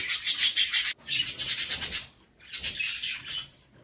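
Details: Budgerigar chicks in a nest box being fed by their mother, giving harsh, raspy, high-pitched bursts in two loud runs broken by a short silence, then a softer third run.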